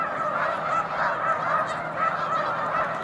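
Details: Snow goose flock resting on Cayuga Lake, 20 March 2021, afternoon; loud separate honks pulse in irregular bursts about once a second over the continuous chatter of many more geese.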